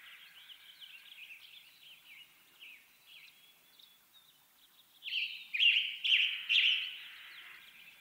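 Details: Western tanager singing: a faint, distant run of burry notes, then from five seconds three loud, hoarse, slurred phrases about half a second apart, with no other clear sounds.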